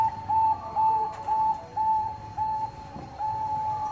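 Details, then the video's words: Zebra dove, Bangkok type, singing to draw rivals into song: a steady chain of level, clear cooing notes, evenly spaced at roughly two per second. "PANCINGAN PERKUTUT BANGKOK GACOR - SUPER AMPUH, BIKIN LAWAN PADA BUNYI."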